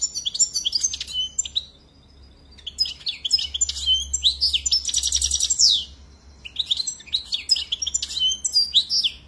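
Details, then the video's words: European goldfinch delivering a continuous run of tinkling twitters, buzzy notes and a fast rattling trill, with a faint low hum in the background. "Très beau Chant"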